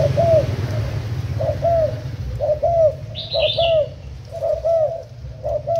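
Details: Spotted dove decoy bird of Thai origin, cooing úp style on 10 April 2018: spaced, low, curved coo notes in irregular groups over a rumbling background, plus one brief higher chirp.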